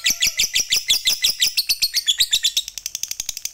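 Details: Fighter lovebird giving a long ngekek chatter, used as bait to get other lovebirds singing: a fast run of about seven shrill, buzzy notes per second, slowing and softening slightly toward the end.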